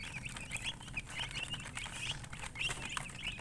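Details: Chicken, a hen (murgi), chirping: quick, thin, high chirps in an uneven string, several per second, over a steady low hum and background noise.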